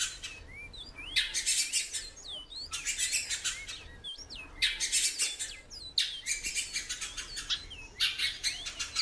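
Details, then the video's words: Female great-billed seed-finch calling a lot in captivity: sliding whistled notes, rising and falling, among clusters of loud scratchy bursts. "FÊMEA DE BICUDO PIANDO MUITO"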